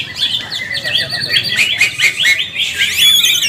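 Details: Greater green leafbird (cucak ijo) in group practice, ngalas nembak song: dense, rapid whistled chatter with repeated rising and falling notes, ending in a high, bright trill-like run.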